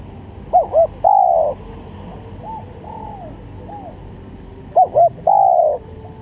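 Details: Lure call of a spotted dove, also played for song tutoring: two loud phrases of two short hooting notes and a long sliding coo, with softer arched coos between them and faint low hum.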